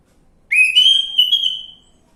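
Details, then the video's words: Orange-headed thrush from a lure recording for prompting song: a single sustained clear whistle that rises sharply at the start, then holds steady with slight wavering before fading. "Pancingan Anis merah macet bunyi"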